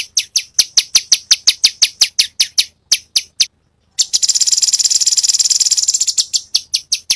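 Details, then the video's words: Cucak cungkok singing tembakan variations: a steady run of sharp, high, ticking notes, a short pause, then a dense fast buzzing trill before the ticks resume. "Cucak Cungkok burung masteran Full variasi Tembakan"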